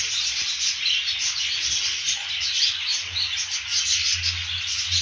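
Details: Australian budgerigars (periquitos australianos) in a continuous dense chorus of high, scratchy chirps and warbles overlapping without pause, with a low rumbling background.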